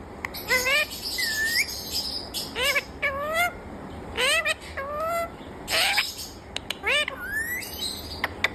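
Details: Green rose-ringed parakeet kept as a talking bird, said to say "Mummy Mitthu"; bursts of harsh harmonic syllables and rising whistled slurs in uneven groups, some noisy broadband squawks, over a low hum.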